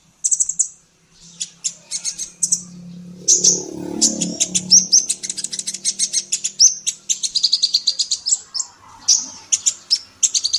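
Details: Female kolibri ninja sunbird used to train songbirds: high chirps and long runs of rapid, thin ticking notes with short sweeping whistles, over a soft low rumble in the background.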